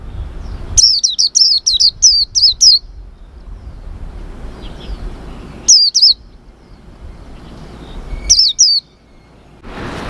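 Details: Captive, wild-caught white-eye being tested by its owner, who notes it only gives plain "cuit" chirps: high, thin chirps, a quick run of about seven at the start, then two short bursts later, over faint background hiss.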